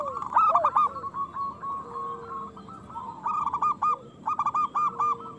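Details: Loud local zebra dove song for stimulating reluctant doves to call and breed: a rapid, bubbling string of short coos, a quieter stretch, then more evenly spaced clipped notes over a faint lower tone.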